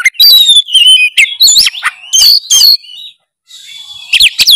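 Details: Kacer, the oriental magpie-robin, singing energetically to provoke a silent bird: clear descending whistles, then looping upslurred notes and sharp clicks, a short silence, and a final burst of high chips.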